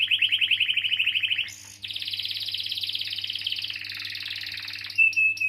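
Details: Canary in full rolling song, used as a lure to get quiet or stalled canaries singing: long, fast, buzzy trills at a steady high pitch, switching abruptly to a new rolled phrase, then a sharp whistled note.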